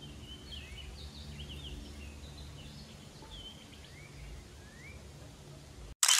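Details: An Orchard Oriole (Icterus spurius), a spring passage migrant, sings one morning in May 2023 near Hillsborough, North Carolina: a quick, jumbled run of bright whistled and slurred notes, some sweeping upward, over a low rumble, ending with a camera shutter click.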